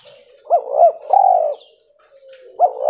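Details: Cotton-white albino spotted dove, a mutant form, delivering a short coo phrase of two quick swelling notes and a longer falling hum, then a pause before a new phrase begins.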